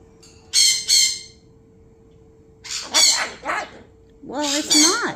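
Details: A pet umbrella cockatoo gives loud, harsh, raspy screeches in three bursts after a phone rings, which it does every time; the owner suspects it is griping at being woken. An electronic hum and the owner's voice come between squawks.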